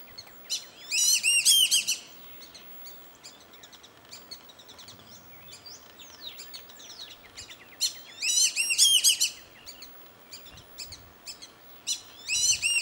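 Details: Black-bellied whistling duck that has just landed behind a home at Hamilton Creek while its mate flies back and forth. Shrill, multi-note whistled calls come in loud bursts near the start, middle and end, with softer chatter between.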